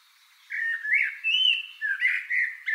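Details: A common blackbird sings on 22 April 2018: a mellow, fluted warble of rising and falling notes in a continuous phrase lasting about two seconds, with no other clear sounds.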